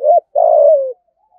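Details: A single 'thúc gù' urging coo of a spotted dove, used as a lure call. A brief bent note leads into a longer, vibrating, low coo that gradually falls in pitch. The background is otherwise silent.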